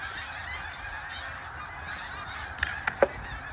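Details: A softer wash of snow goose flock calling, from birds migrating in flocks of up to 100,000, with overlapping nasal honks and a few sharp, loud clicks or knocks near the end.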